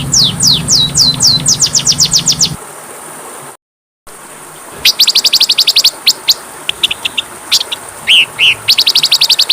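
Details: Oriental magpie-robin (kacer) masteran recording: rapid high descending whistles, then a brief dropout, followed by bursts of tight, buzzy, high notes and a few lower rising whistles, with the background hum gone after the break.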